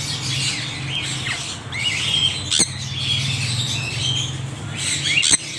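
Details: Scattered parrot calls, harsh squawks and a few short whistled notes rising and falling, spaced out over a steady low droning background with a couple of sharp clicks.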